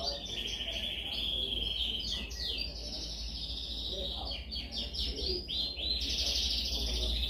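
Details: Canary delivering a dominant song used for training: long runs of rolling high trills broken by quick descending slurs, then a bright buzzy trill, steady low hum beneath.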